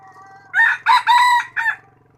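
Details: Rooster crowing in 2021: one loud crow of about four segments, a short opening note followed by two long harsh drawn-out notes and a brief clipped ending, over a low steady hum.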